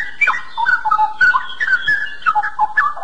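Straw-headed Bulbul pouring out rich, bubbling whistled phrases that rise and fall in quick liquid runs, loud and continuous with no other sounds.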